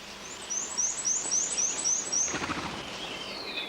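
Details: A bay-breasted warbler (Setophaga castanea) sings in a stand of black spruce during a boreal songbird count. Its song is a very high, thin series of about seven even notes, roughly four per second, followed by rustling and a fainter call.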